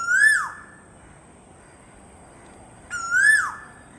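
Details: Two loud, ringing koel calls about three seconds apart, each a bright whistle climbing briefly before tumbling down, with near silence between them.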